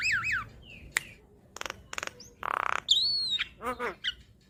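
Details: Asian pied starling song meant for training cage birds, with looping whistled notes, sharp clicks, a harsh rasp, a long descending whistle and a run of bouncing harmonic notes.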